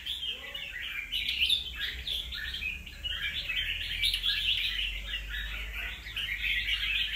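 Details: Wild-caught red-whiskered bulbul after two moults, singing rapid chirping and warbling phrases in a dense, unbroken run, with low rumble in the background.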